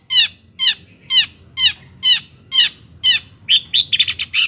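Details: Long-tailed shrike in energetic song, meant to goad rival shrikes into singing: a steady run of sharp, falling notes about twice a second, ending in a rapid jumble of high twittering.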